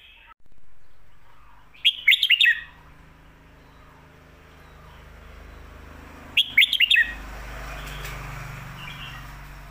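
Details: Red-whiskered bulbul song in the 'stir-fried noodle' and 'bottle-shaking' styles, for teaching caged birds: two short, rapid bursts of clipped whistles about four seconds apart over a steady background hiss.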